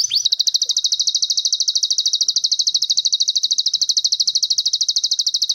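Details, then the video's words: Bird song from a master recording for training contest birds: a long, high, dry trill of rapid, evenly spaced pulses that runs unbroken for over five seconds, with no other sounds. "MASTERAN BURUNG MEWAH TERBARU, FULL DURASI TEMBAKAN"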